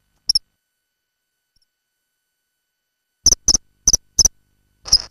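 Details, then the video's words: Common kingfisher recorded inside its nesting burrow: a brief sharp high note, then after a silent pause a quick series of four shrill, paired piping notes and a final harsher, rasping note, with near-silent background. "Hlas ledňáčka (Alcedo atthis), Kingfisher"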